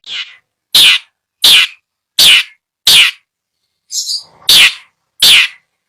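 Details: Long-tailed shrike kept in a cage at a seller's place in Bondowoso, Indonesia, uttering harsh rasping single notes spaced about 0.7 seconds apart, with one thinner squeaky note among them.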